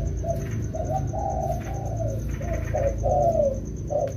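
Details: Spotted doves, a wild-caught pair practised during the rainy season, coo in low, soft, spaced notes that grow louder toward the end, over a strong low rumbling background.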